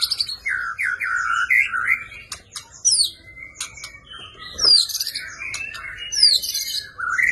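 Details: Energetic white-rumped shama fighting song meant for training caged birds: varied warbled and whistled phrases, rising and falling, broken by sharp clicks and high thin squeaks, with brief pauses between bursts.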